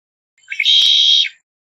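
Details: Red-winged blackbird song: a short rising lead-in followed by a dense, buzzy trill held for about half a second at even pitch, then a quick fall, in otherwise quiet surroundings.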